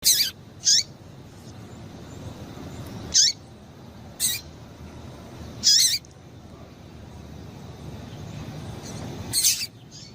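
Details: Female double-collared seedeater calling to excite males, short sharp high chirps in brief bursts, several spaced irregularly over ten seconds against a low steady background hiss.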